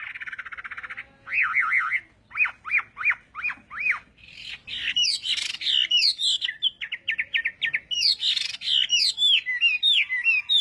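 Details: Hwamei singing in the morning for voice training: a buzzy trill, then a run of five looping whistled notes, followed by fast varied phrases of sweeping whistles and rapid repeated notes.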